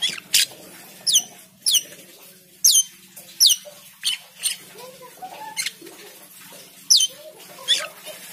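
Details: Chatty Asian pied starling song meant to coax other birds into singing: sharp high whistled notes sweeping down, spaced roughly every half second to second, mixed with softer chuckling notes and a low background hum.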